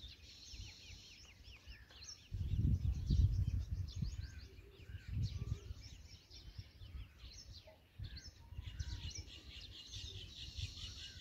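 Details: Black drongo chicks, being fed by an adult, give a busy stream of thin, high, rapidly repeated chirps, with low wind rumble beneath.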